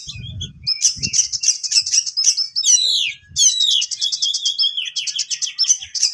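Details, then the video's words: Oriental magpie-robin, or kacer, delivering a piercing besetan song said to provoke rival birds: evenly repeated high whistled notes, sweeping downward slurs, then rapid stuttering trills, with soft low thumps at the start. "Besetan suara tajam Kacer HC Bikin Lawan emosi"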